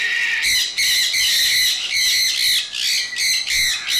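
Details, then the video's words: Loud, grating screeches from sun conures, strung together in long harsh bursts broken by short pauses, shrill and buzzy with a strong upper edge. "Cute & Chirpy Sun conure birds! Lovely cute and loud birds!"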